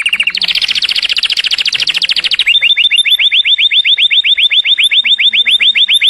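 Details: Canary song: a shrill, very rapid high trill for over two seconds, then a steady, slower rolling series of clear curved notes repeated evenly to the end.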